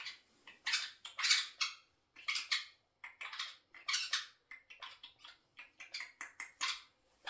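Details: Eurasian jay kept in a home and said to speak like a human: loud, scratchy, rasping screeches in rapid, uneven bursts, some paired, with brief silences between them, in a quiet indoor setting.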